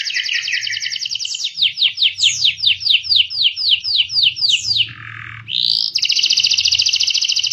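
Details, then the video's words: Singing yellow canary, high-and-low style, meant to coax young or silent canaries: rolling high trill, fast run of swooping downslurred notes, a short lower buzz, then a steady piercing high trill; faint low hum beneath. "Masteran kenari gacor atas bawah. Pancingan kenari paud belajar bunyi"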